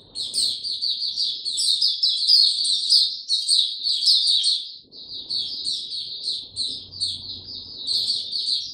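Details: Caged white-eye singing without health supplements, recorded 29 April 2022: a continuous high, rapid twittering run of chirps and slurred notes with a brief pause near the five-second mark, then resuming, with faint low background hum.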